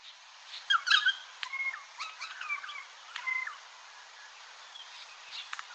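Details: Regent Honeyeater, a wild bird that learned another species' song, sings a harsh, clanking phrase mimicking a Noisy Friarbird, with a short chirpy burst, then squeaky two-note notes and pauses; a quiet background hiss.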